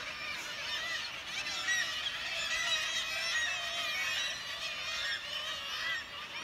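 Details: Cliff colony of kittiwakes at St Abbs Nature Reserve, a mass of harsh, nasal calls overlapping without pause, with some brief, clearer wails standing out above the constant chatter.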